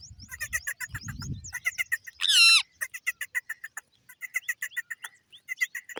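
A parrot chatters in quick, high chirps, several per second, broken by one loud harsh squawk midway; a brief low thump is also heard.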